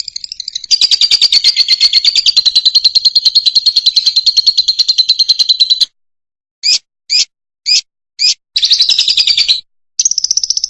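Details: Fischer's lovebird singing, a recording meant to teach young birds to sing without off notes: fast, buzzy trills around a high pitch, a long warbling run, then four short bursts separated by silence and more trilling.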